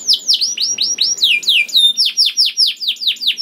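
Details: Canary singing as a lure for other canaries: a continuous run of loud, quick, downward-sweeping whistled notes, about four or five per second.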